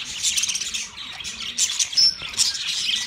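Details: Chirping of a yellow male budgerigar, described as a mating sound: busy high-pitched chatter with short whistled notes and harsh squawks blending from a group of birds.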